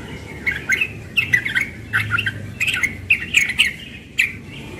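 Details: A young yellow-vented bulbul sings in the morning, pouring out rapid, bubbly, chattering phrases in quick bursts, each short run of liquid notes following the last with barely a pause.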